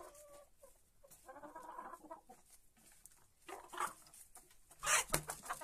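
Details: Hens feeding at dawn after leaving their perches, giving short harmonic clucks in a soft run during the first two seconds, then louder, sharper clucks and pecking bursts near the end, against a quiet background.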